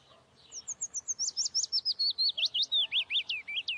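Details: Saker falcon chicks at the nest in Hungary, filmed by a nest webcam on 11 May 2012: a rapid series of about eighteen sharp, hooked, thin notes that grow louder and slide lower in pitch toward the end.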